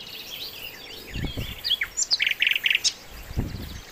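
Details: Lively sikatan londo flycatcher song, used as training master for songbirds, begins with soft high slurred whistles, then rapid bursts of dense buzzy chirps repeated several times a second, with low thuds in the background.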